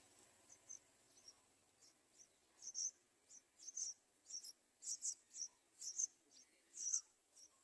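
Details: Yellow-vented bulbul chicks beg with thin, very high, hissy squeaks as adults try to feed them, about one a second, growing louder and more insistent toward the end.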